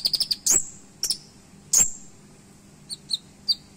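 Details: Kolibri ninja (Van Hasselt's sunbird) in a sharp, loud 'isian' song: a quick run of high thin chips, then two piercing high notes with a rising flick, followed by sparse short high chirps.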